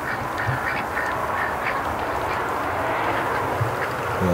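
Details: Domestic ducks active in their pen around 11 o'clock at night instead of sleeping, taking turns roaming; a few short nasal quacks rise over a steady background hiss.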